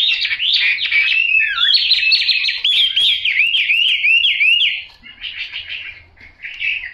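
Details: Chinese hwamei with yellow bill and yellow legs singing a loud, rich, continuous song of rapid slurred whistles and warbled phrases for about five seconds, then breaking into softer, scattered notes and short trills.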